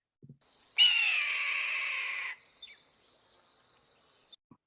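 A Red-tailed Hawk gives a single hoarse, drawn-out scream lasting about a second and a half, harsh and slightly falling, then a few faint clicks.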